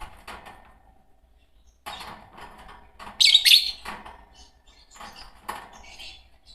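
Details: Pair of green Fischer's lovebirds: a brief, loud, shrill double chirp in the middle, surrounded by quiet clicking and scratchy taps.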